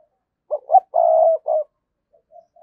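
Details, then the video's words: Lure spotted dove cooing to call in 2022: one clear phrase of two short notes, a long vibrating croo and a brief closing coo, followed by faint soft notes. "tiếng cu gáy - Chim Cu Mồi Thúc Và Gáy Gọi"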